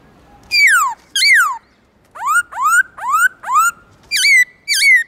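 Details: Loud, clear morning song of a black-throated laughingthrush in "forest voice" style: two downward swoops, four upward-sweeping whistles, then two dipping notes, each phrase well separated.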